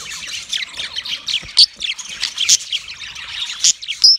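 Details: Mating chatter from a yellow male budgerigar: rapid scratchy warbles and chirps run without pause, broken by a few louder sharp squeaks and a clear whistled note at the very end.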